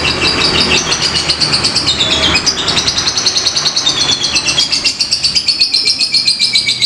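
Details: Fighter lovebird giving ngetik and ngekek style song, played as a lure to stir other lovebirds: long unbroken run of rapid, high, clicking chatter with quick downward-sliding notes, pulsing about two to three times a second, over a faint low hum.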